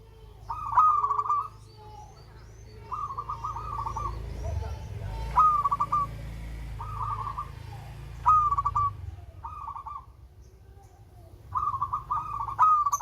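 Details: Zebra dove of the local type cooing melodiously over thirteen seconds. Short phrases recur every second or two, some opening with a bright rising note, others softer rolled coos. Background rumble and faint murmuring are present.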